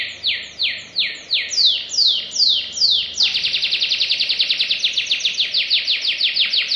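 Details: Canary singing vigorously in a tutoring recording, in the rapid 'nembak' style: about eight loud, evenly spaced, whistled notes sweeping steeply downward, then a sudden switch to a fast, tight trill of short descending notes.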